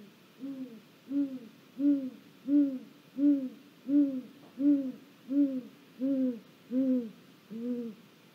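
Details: Great gray owl stopping at a snag, filmed by a live camera in Mission Valley on 1 April 2022; eleven deep, soft, arched hoots repeated steadily about every 0.7 seconds, the last one fading, with a quiet background.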